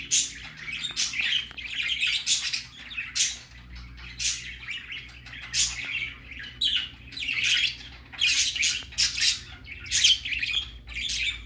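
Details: Baby budgerigar on its first outing, producing repeated bursts of high chirping and scratchy chatter about once a second, with a low hum in the background.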